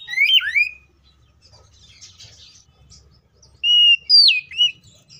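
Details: Oriental magpie-robin fighting song used as a lure to make other magpie-robins sing: a brief, sharply slurred whistle at the start, then near silence with low murmur, followed by a loud group of sweeping whistled notes.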